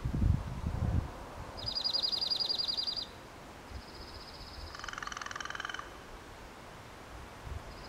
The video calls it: Dark-eyed Junco(slate-colored) song